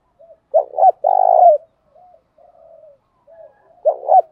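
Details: Cooing spotted doves, male and female, meant to excite other doves into cooing: soft short lead-in notes, a hollow double coo and a long sustained coo, repeated after faint murmuring notes; nothing else heard.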